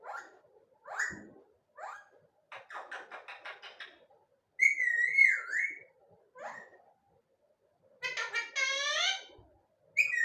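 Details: Pet rose-ringed parakeet talking non-stop: short speech-like syllables, a rapid chattering run, a loud wavering whistle, then harmonic squawks, indoors.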